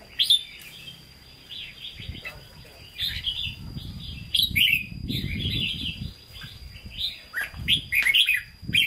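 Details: Hue-style song of a caged red-whiskered bulbul ('hót ché'): repeated sharp whistled and warbled phrases over low rumbling background noise.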